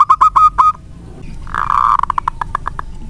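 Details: Local zebra dove, an actively singing bird kept to set other doves singing, gives a few quick cooing notes, then a smeared burst followed by fading, evenly spaced coos.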